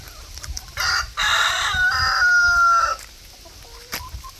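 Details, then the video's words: Chickens in a barnyard: a rooster gives a loud, drawn-out crow ending on a long held note, with brief clucks before and after over a steady outdoor background hum. "Chickens out gossiping in the barnyard."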